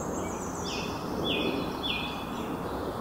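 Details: Several waxwings in Vancouver, British Columbia, in June give thin, high, sibilant trilled notes in quick, overlapping succession over a steady rushing background of wind or traffic noise.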